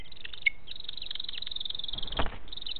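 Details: Female booted eagle at the nest on 7 July 2018, calling with a characteristic wing movement to urge the male to bring more prey for the well-fed chicks: dense, rapid, high chattering notes with a brief clear whistle and a short noisy rustle.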